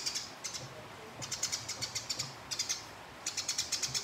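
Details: Short stretch of a house sparrow's combative chatter during a fight with a rival: quick runs of harsh, dry ticks in tight clusters, repeated several times within a few seconds.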